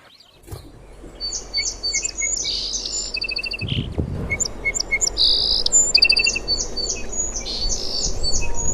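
Sparrows chirp busily, with quick, bright, overlapping chirps and short twittering runs several times a second. A low rumble of background noise sits underneath.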